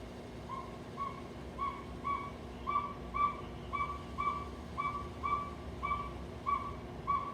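A Northern Pygmy Owl gives a long, steady series of clear, mellow whistled toots, about two each second, over a faint background hiss.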